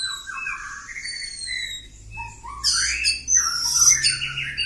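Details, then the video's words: Oriental magpie-robin of the kampung type singing long ngacor phrases, steady high whistles and lower warbled notes giving way to louder scratchy, chattering bursts. "Kacer Kampung. Super Ngacor panjang"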